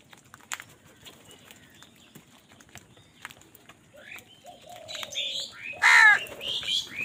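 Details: After a quiet start with faint chirps and a drawn-out whistle, a crow fighting for food bursts into a loud, rough caw followed by shorter harsh calls.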